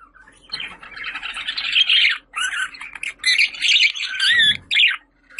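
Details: Budgerigar call meant to call pet budgies: loud continuous warbling chatter with scratchy squawks and rising whistled squeaks, coming in several long bursts separated by brief pauses.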